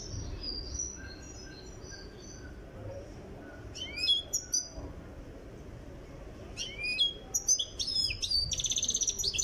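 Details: European goldfinch from Tiaret, Algeria, being trained toward full singing readiness; twittering song of quick sweeping chirps in bursts near four seconds and after six and a half, ending in a harsh buzzy trill, thin high notes early, low steady background hum.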